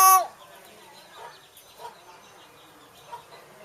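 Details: A talking hill myna from Chiang Mai speaks New Year blessings: one loud, harsh burst, then a few soft, speech-like syllables spread unevenly over the next three seconds.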